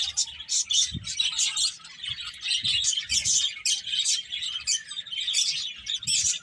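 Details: Feeding finches giving quick high chirps in bursts, closely spaced tweets over a steady twittering background, with faint low knocks now and then.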